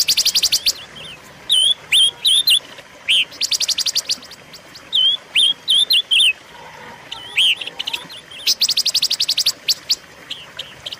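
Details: Silver-eared mesia song used to lure and train songbirds: dense buzzy rattling bursts alternating with short phrases of three or four bright wavering whistles, repeated several times over eleven seconds.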